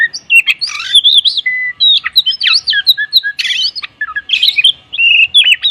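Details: Morning song of an oriental magpie-robin singing vigorously, rich in tembakan kapas fills: fast, jumbled whistles and twisting slurs mixed with harsh scratchy bursts, delivered in one dense flow.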